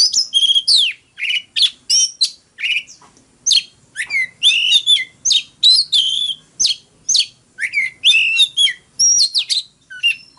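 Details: Oriental magpie-robin singing a fighting song: steady, rapid series of short crisp whistled notes and chips, some slurring downward, repeated phrase after phrase for about ten seconds.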